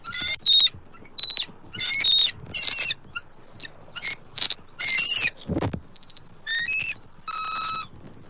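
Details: Wild bald eagles, Southwest Florida nest, October 29, 2024, with the male making repeated food deliveries to his mate. A rapid jumble of shrill squeals and thin whistles, one low thump midway, ending in a longer piping call.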